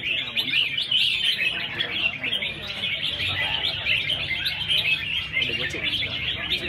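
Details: Red-whiskered bulbuls in a song competition, a round of 24 birds out of 120 entrants, sing together in a dense chorus of bright, chattering whistled phrases that overlap without pause, with faint human voices in the background.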